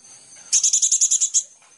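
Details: Sunbird known locally as kolibri ninja, recorded as a lure to stimulate singing: a single brief burst of about nine fast, very high buzzy pulses under faint background hiss.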